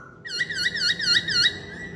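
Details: Masked laughingthrush giving a quick run of five or six looping, warbled notes in a steady rhythm, following a faint thin whistle.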